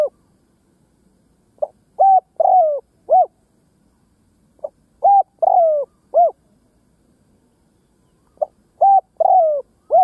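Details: Decoy spotted dove luring wild doves with its cooing: three identical phrases, each a short pip plus three mellow coos with a long descending middle note, repeated roughly every three seconds in quiet surroundings.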